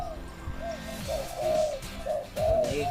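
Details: Spotted dove that is now being trained: short mellow coos in uneven groups, partly masked by clicks, handling noise and background sounds.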